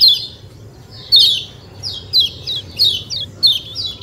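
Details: White-eye (kecial kuning) repeating loud, high chirps that slide steeply downward, each note or pair arriving about every half second in a 'ciak ciak' rhythm, with a low hum behind.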